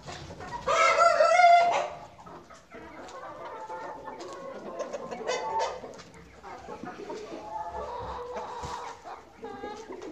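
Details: Chickens on a farm, filmed during a short walk around it: a loud, raspy crow opens, followed by a busy chorus of low clucks and chattering calls from the flock.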